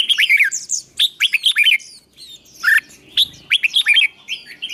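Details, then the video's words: Songbird fighting-song training meant to fire up young birds: lively bursts of bright chirps and slurred whistles in short repeated phrases, with a brief lull near the middle. "Luyện chim hót đấu, kích bổi lên lửa"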